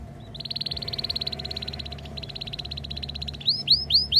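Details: Canary ngriwik tutor song for young canaries: a long, even, rapid rattle-like trill of tiny high notes. It breaks briefly, continues, then changes into a few loud downward-sweeping whistles. A low hum runs behind it.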